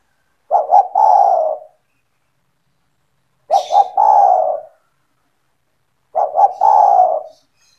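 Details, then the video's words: Spotted dove (tekukur), a vigorously calling bird kept by the owner, used to lure other doves into calling: three mellow cooing phrases, each two short stuttered notes then a long drawn, slightly falling coo, repeated about every three seconds in silence. "SEMUA TEKUKUR / DERKUKU AKAN TERPIKAT DENGAN SUARA TEKUKUR GACOR INI"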